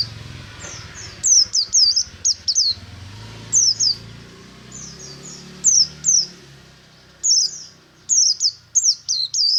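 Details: White-eye (buxtomi) in morning ngalas song, with rapid sequences of high, slurred descending whistles in short bursts over a constant low rumble of background noise.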